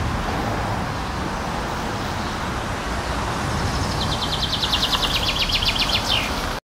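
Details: Common chaffinch summer song: a bright, rapid run of repeated high notes descending toward the end and lasting about two seconds, heard over steady road traffic.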